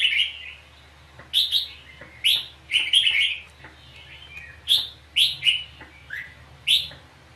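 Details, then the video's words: Red-whiskered bulbul singing a duel song while fighting at a trap. Short, lively phrases of warbled, slurred whistles come in quick succession, with fainter answering notes between them. "Bẫy chào mào cực đẹp hót cực hay đánh nhau cực khủng"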